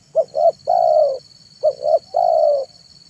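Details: Spotted dove manggung song recorded in the afternoon for luring wild doves. Two phrases of a pair of short rising coos and one long, gently descending coo, clearly repeated, over a faint continuous high tone.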